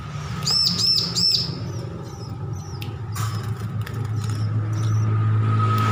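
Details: Recently weaned bar-winged prinia practising its song: three quick clusters of high arched chirps open the recording, then thinner scattered notes follow while low vehicle-like rumble and a constant mid-pitched hum continue underneath.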